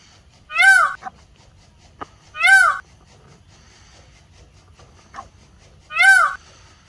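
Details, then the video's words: Indian peafowl (peacock) giving three loud, nasal, wailing calls, each under half a second with a bent, rising-falling pitch, spaced unevenly; faint knocks between them. "Peacock Sound"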